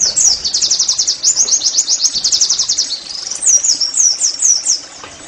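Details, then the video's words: Oriental white-eye in "nembak" song, meant to make caged pleci sing: a quick high trill of chirps, followed by several separate swooping whistled notes. "TERAPI NEMBAK PLECI I, Agar Pleci anda cepat GACOR BOS!!"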